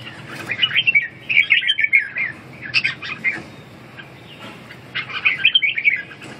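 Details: Red-whiskered bulbul singing bright, bubbly whistled phrases, rapid rising and falling notes in three bursts separated by short pauses, with a faint low hum behind.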